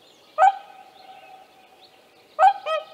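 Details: Two loud, nasal trumpeting honks from a whooper swan with young, about two seconds apart, the second followed by a softer answering note; otherwise quiet. Tāši, Latvia, 15 May 2024.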